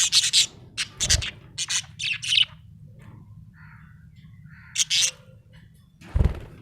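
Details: Happy budgerigar chirping: bright, scratchy chirps in quick clusters, a soft warble midway, then a few more sharp notes and a low thump near the end.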